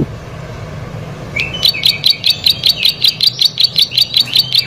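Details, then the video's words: Plain prinia singing with energy: after a brief rising whistle-like start, a steady series of short, buzzy high notes follows at about two and a half per second over a low background hum. "Prenjak Sawah Gacor"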